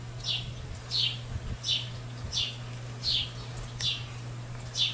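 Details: Barn swallow fledglings at a tallgrass prairie preserve near Pawhuska, Oklahoma, on 1 July 2018: short high chirps repeated roughly every half second to second, each a brief downward-sweeping note, over a steady low electrical hum.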